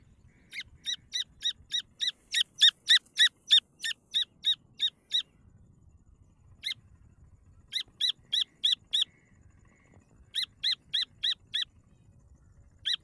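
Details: Calls of grey francolin chicks: bright thin peeps in rapid regular series of three to four notes a second, broken into bursts separated by pauses, over a soft low background hum.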